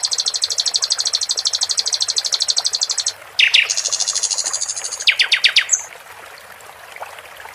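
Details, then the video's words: A sikatan londo flycatcher in a cage sings a long high buzzy trill for three seconds, then a swooping whistle and another fast chattering series, fading into the murmur of running water. "Sikatan Londo di Iringi gmricik air cocok Untum Masteran Dan memancing jagoan bos kuh berbunyi"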